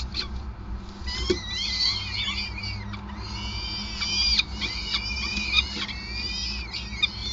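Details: At the Gasunie nest in Groningen on 5 May 2020, peregrine falcons call during feeding: clear, drawn-out whining squeals with rising and falling pitch, several of them overlapping, broken by sharp ticks. Faint low hum throughout.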